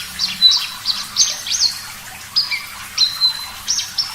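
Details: Javan bush lark song with water in the background: high, thin whistled notes, some sweeping upward and some long and level, given irregularly, with a low steady hum underneath.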